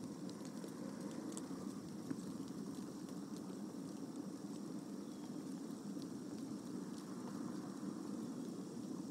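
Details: Steady low outdoor rumble like distant traffic or wind, with faint scattered clicks and no clear animal calls.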